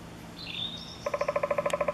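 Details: Eurasian three-toed woodpecker, recorded at Chvalčov in the Czech Republic during August 2013, gives a quick, even run of about twelve buzzy, nasal notes, preceded by a thin, high whistle from another bird.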